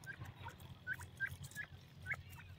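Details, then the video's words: A grey francolin, male or female, repeats brief, bright whistled notes about every half second above a low steady hum. "teetar nar R madi ki awaz,grey francolin female vs male ki voice"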